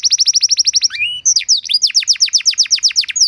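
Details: Canary tutor and trigger song meant to teach canaries a rich repertoire: a fast, even trill of high descending notes, then a brief rising slur and a quicker run of sweeping whistled notes, repeated several times a second.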